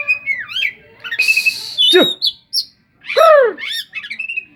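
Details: Oriental magpie-robin song, full of mimicked phrases in the style of a cetdet bird: varied whistles, slurred and downward-swooping notes, and a harsh buzzy rasp mid-phrase, delivered in loud bursts with short pauses.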